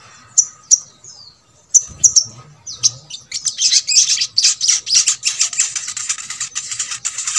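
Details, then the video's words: Sogok ontong song used as a master recording to coax sluggish birds of its kind into singing: a few sharp high chirps, then a fast, dense run of shrill repeated notes from the third second on. "MASTERAN SOGON ( sogok ontong ) BAHAN AGAR RAJIN BUNYI"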